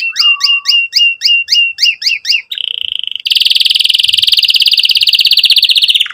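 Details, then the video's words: Lively canary song meant to prompt young canaries to sing and to restart birds that went quiet. Eight sharp repeated chip notes lead to a short steady tone, followed by a long, very fast high-pitched trill. "Kenari Gacor Cuit Cuit EMOSI"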